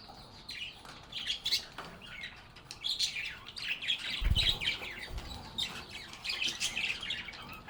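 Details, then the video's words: Several happy parakeets chirping and chatting with one another in a calm, natural setting: busy high twittering and short warbled notes throughout, with a couple of low thuds midway. "Relaxing Sounds of Singing, Playing, and Talking Parakeets"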